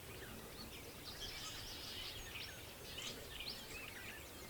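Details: Red-winged Blackbirds on lily pads at a pond in Bald Eagle State Park, Pennsylvania, on a foggy morning, give harsh, scratchy high calls in bursts, called hideous, over a steady outdoor hiss with a man talking nearby.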